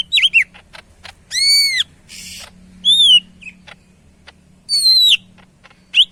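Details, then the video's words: Energetic Medan-type greater green leafbird: bright drawn-out whistles and arching slurs mixed with a harsh buzzy note and short chips, delivered in separate loud bursts. "BURUNG CUCAK IJO MEDAN GACOR"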